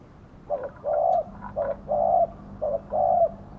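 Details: Karom-style cooing from a spotted dove kept as a decoy for trapping wild doves. Short and long hollow notes alternate evenly, about one each second, soft and resonant.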